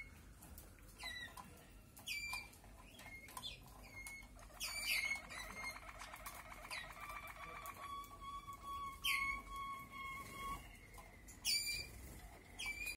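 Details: Malinois (Waterslager) canaries in high spirits, singing many 'klok' notes: a low, bubbling roll lasting about three seconds, then a long, steady whistled note, with sharp, bright chirps scattered throughout.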